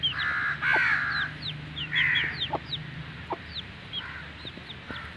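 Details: Grey Aseel hen with her newly hatched chicks in Mianwali: thin, high, downslurred chick peeps repeated quickly over broader, harsher mid-pitched hen calls, with a steady low hum behind.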